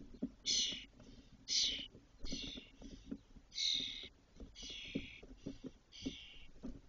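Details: Spotless starlings at a nest in a cork oak in Doñana National Park, Spain, with six fully feathered chicks about 22 days old in May 2023, give seven harsh hissing rasps about one per second over faint low tapping.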